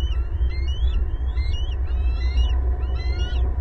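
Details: Bald eagles calling loudly at their big old nest in a Southwest Florida pasture tree, April 18, 2022; continuous run of high, thin, warbling chirps in quick succession, backed by a deep steady rumble.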